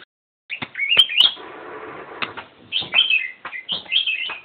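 Black-crested bulbul giving short, bright, warbled phrases in three bursts roughly a second apart, with sharp clicks and a brief rustling hiss between them.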